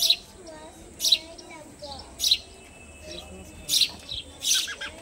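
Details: Sparrow in a home repeating short, bright chirps at irregular intervals, five in about five seconds, over soft indoor sounds and faint voices.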